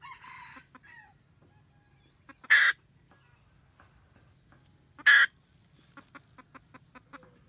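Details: Red junglefowl hen cackling to call the male while guarding her nest, recorded 2020-2021. A brief tonal call opens, then two loud, grating cackles with a trail of rapid, regular clucks.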